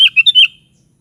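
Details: Kutilang, the sooty-headed bulbul, in lively song: a quick burst of four fluty, slurred notes, the first starting abruptly, fading out within half a second.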